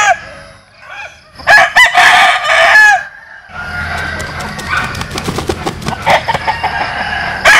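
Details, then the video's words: Crowing rooster of Vietnamese or American Sil type: one strong, loud harmonic crow of several syllables, then a noisy stretch of clicks and scratching background sounds. "Tổng Hợp Tiếng Gà Gáy/ Synthesize Cock Crows"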